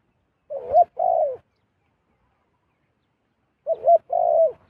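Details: A wild zebra dove descending to a decoy bird gives two matching coo phrases about three seconds apart, each a quick wavering note followed by a longer, slightly falling coo, with silence between.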